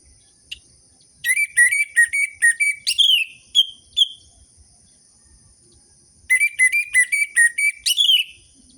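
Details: An orange-headed thrush sings to prompt sluggish captive birds: a series of evenly spaced whistled notes ends in a downslurred note with two soft single notes after it. After a pause, the whistled series starts again.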